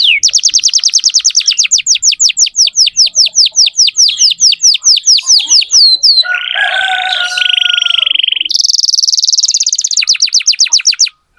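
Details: Vigorous canary song used to tutor young canaries: a long run of rapid falling whistled notes, then a buzzy rolling tour with a low pure tone, then a fast high rattling trill.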